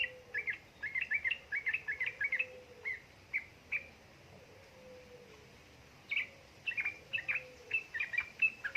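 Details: Yellow-vented bulbul, female calling male, played to prompt idle birds to sing in a rapid chattering style. Dense runs of clipped, bubbly notes, then a pause of about two seconds, then another quick burst, over a faint low whistle.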